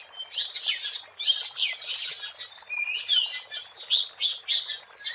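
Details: Kacer, the Oriental magpie-robin, in full wild song for luring birds: pulsing bursts of shrill chirps and downslurred whistles, followed by a smooth rising whistle and then more quick, bright notes.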